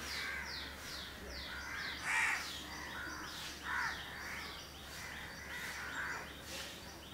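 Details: A house crow couple grooming in Candolim, Goa, India, in December 2010; a few loud, raspy caws stand out over a background of another bird's quick, repeated high chirps.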